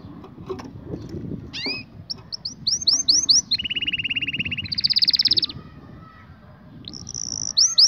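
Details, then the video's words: Canary song for training young canaries: rapid repeated high whistled notes, then a long even buzzy trill, a higher rolling trill, a pause and a final run of bright repeated upslurred whistles, with low background rumble. "Canary 's most powerful song for training 2022 اجمل تغريد لتعليم فراخ الكناري"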